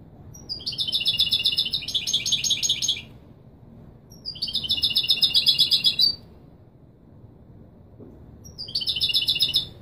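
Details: European goldfinch giving authentic Marrakchi Widani style song for tutoring chicks: three bright bursts of fast, tinkling, high-pitched twitter, each lasting two to three seconds, separated by short pauses.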